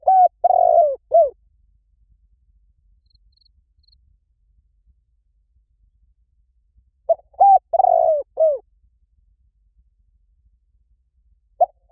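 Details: Two spotted dove phrases about six seconds apart, used as a decoy call. Each is a clipped opening note, an even coo, a long trembling coo and a drooping final note. The background is silent.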